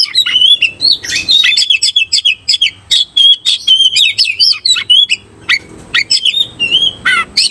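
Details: Oriental magpie-robin singing while seeking a fighting opponent: loud, rapid whistled phrases, sharp rising and falling notes and clear sustained whistles, delivered in quick bursts with brief pauses.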